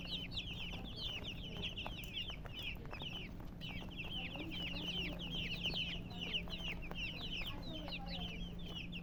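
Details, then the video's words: A flock of colored chickens chirps nonstop, shrill falling peeps crowding together in waves, briefly thinning in the middle, with a steady low hum behind. "silly chicken chirping sounds with murgi hen color chicken"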